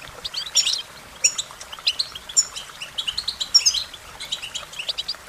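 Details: American goldfinch giving quick, sparkling chirps and short buzzy twitters, spaced a little more widely than continuous song, with crisp high whistled notes.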